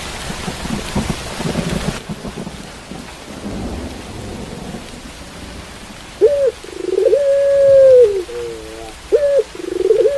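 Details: Heavy rain and rumbling thunder fill the first six seconds, then a pelung-style Barbary dove coos: a short upward yelp, a long steady hooting tone sliding down at its end, and a brief doubled note, with rain continuing underneath.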